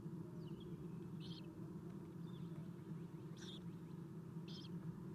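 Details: Feeding of owlets at an owl nest, caught on nest camera at 7:04 am, 11 April 2016; three separate harsh, high squeals spaced one to two seconds apart, faint thin whistles, steady background hum.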